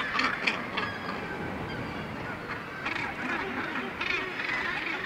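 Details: Crowded Northern gannet colony on the sea cliffs of Syltefjordstauran, Varanger, Norway; many overlapping rasping, guttural calls with louder bursts standing out from a constant background din of the colony.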